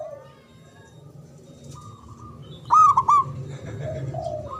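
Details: Local Javanese zebra dove, whose natural loud song is used to get silent doves calling: quiet low coos, then one short, bright, stuttering coo burst over a steady low background rumble.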